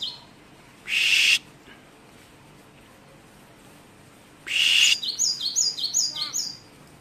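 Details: Great tit whose song carries many variations. Two loud hissing bursts come first, then a quick run of high, sharp descending chirps repeated in steady rhythm for nearly two seconds before fading out.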